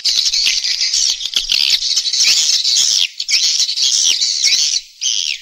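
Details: Swiftlet lure recording for nest-house farming: sustained shrill, squealing twitter with sliding high notes, broken by a couple of short pauses.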